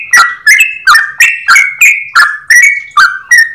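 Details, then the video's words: Rapid clear ropel song of a yellow-vented bulbul: loud, crisp whistled notes, each dipping or rising in pitch, delivered about three per second in an unbroken chattering run. "Trucukan gacor ropel panjang suara jernih"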